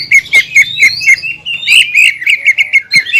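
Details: Greater green leafbird (cucak ijo), a fighter of champion class, sings tutor phrases of loud abrupt chips and squeaky slurred whistles, delivered in quick uneven bursts.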